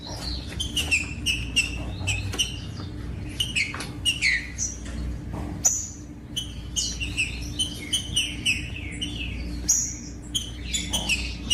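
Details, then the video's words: Green-winged saltator song meant to warm up and motivate cold captive birds: loud whistled phrases sliding down through high pitches, notes tumbling densely over one another, with a steady low hum beneath. "COM TRINCA FERRO CANTANDO"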